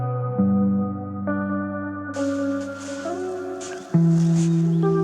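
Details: Ambient organ-like music with sustained, layered chords that change every second or so, swelling louder near the end; no animal voices.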